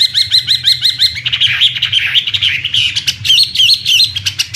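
A Chinese hwamei sings loud, rich phrases: a run of quick repeated upslurred whistles, then varied warbling and sliding notes, with a low hum underneath.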